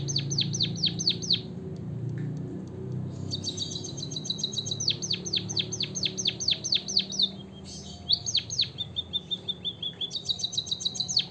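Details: White-headed munia chirping, played to stimulate other birds to sing: rapid runs of high, sharply descending chirps in bursts of a few seconds, with a short pause between runs, over a low background rumble.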